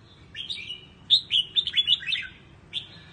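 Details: Red-whiskered bulbul, Quang Tri style song for voice training: one rich phrase of quick whistled slurs rising and falling, followed by a lone short note, soft hum behind.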